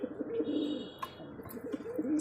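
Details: Pigeons kept for sale as a pair, cooing softly indoors: low, repeated murmuring coos with faint background noise.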